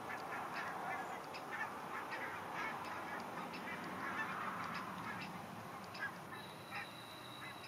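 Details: Migrating geese flying south for the winter: a busy stream of short honks, several per second and irregularly spaced, above a low rushing background noise.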